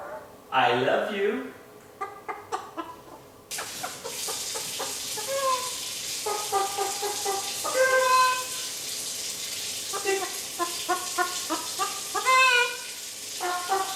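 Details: One-year-old male pet Eclectus parrot that clucks like a chicken: a series of short, harmonic, chicken-like clucks in bursts, over a steady hissing background noise after the first few seconds.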